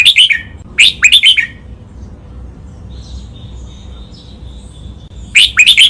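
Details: Loud, clear red-whiskered bulbul training song, double counted-note master pattern: tight runs of four or five sharp whistled notes, two runs close together, a soft thin warble during the pause, then a final run.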